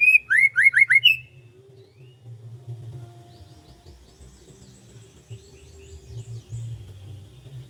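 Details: Morning birdsong over rice fields: a quick run of five loud, sharply rising whistled notes, then fainter high twittering from more distant birds over a steady low hum.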